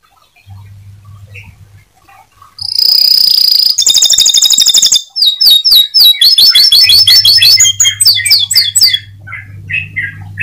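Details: Atlantic canary in full song, used to spur other canaries to sing: a loud shrill whistle, a fast pulsed trill, then quick sweeping notes and rolls, tapering off with a low hum returning.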